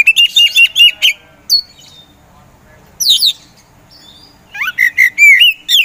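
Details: Caged Oriental magpie-robin, a competition songbird, opens with rapid repeated whistled notes, goes quiet, gives a single harsh burst, then resumes with rising and falling clear whistles.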